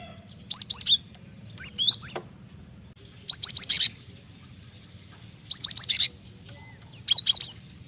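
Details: Lure and training recording of an actively singing Cinereous tit: short bursts of three or four high, sharp chirps come roughly every one and a half seconds, with quiet gaps and a soft steady low hum.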